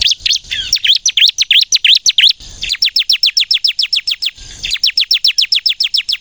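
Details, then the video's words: Ciblek kristal, the bar-winged prinia, in full energetic song used for luring birds; quick looping chirps give way to a rapid steady series of sharp descending notes, short gaps between bursts. "suara burung ciblek kristal gacor nembak untuk pikat pancingan ciblek bahan agar bunyi"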